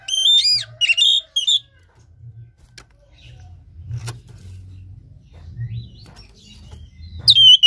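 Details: Lure song of the Oriental magpie-robin for coaxing a lazy caged bird lacking breeding drive to sing: a few loud looping whistled phrases at the start, a long quiet stretch with faint clicks, then a final high whistle.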